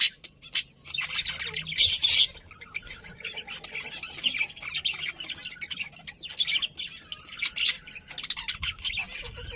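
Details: Pet budgerigars chirping together, a dense run of high buzzy warbles and squawks packed with quick clicks, one loud harsh burst near two seconds, chatter continuing steadily throughout.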